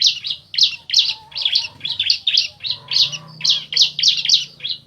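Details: Bar-winged prinia (ciblek), male and female answering each other: dense run of sharp, buzzy chirps between 2 and 8k, repeated in quick succession about three per second, with a faint low hum underneath.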